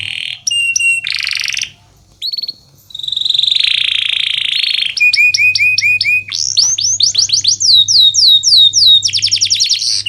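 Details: Canary song used to train lazy canaries to sing: high whistled notes, a long buzzy tone, then fast repeated downslurred whistles and trills, with a low steady hum underneath.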